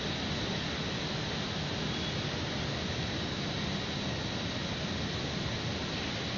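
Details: Continuous broadband roar like wind or distant traffic, steady throughout with no animal calls.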